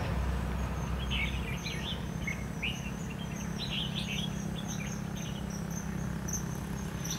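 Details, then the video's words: Decoy red-whiskered bulbul at a trapping site, 23 October 2016: clusters of quick, chattering warbled notes repeated in bursts, with a thin high insect whine and a constant low hum underneath. "Bẫy chào mào bộ khủng nết chơi lăng xăng tít mù"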